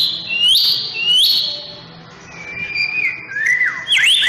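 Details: Morning song of a white-rumped shama while sunbathing: two loud upslurred whistles, a quieter pause, then softer sliding whistles and sharp high flicks.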